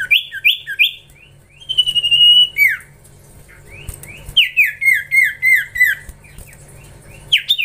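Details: Young Common Iora (cipoh) in training gives lively whistled phrases. A held buzzy note slides downward, followed by a rhythmic descending run of about seven hooked whistles, one roughly every third of a second.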